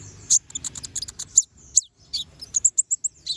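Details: Brown-throated sunbird in lively chattering song with sharp shots, meant for tutoring other birds. Bursts of rapid, piercing chips alternate with short downslurred whistles. The ending is a quick, evenly spaced series of bright notes.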